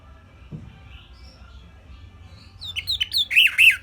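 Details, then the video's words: After two and a half seconds of near quiet with faint low hum, an orange-headed thrush bursts into a simple tutor song of quick, looping whistled notes and sharp chirps, growing louder at the end. "Kicauan Simpel ANIS MERAH"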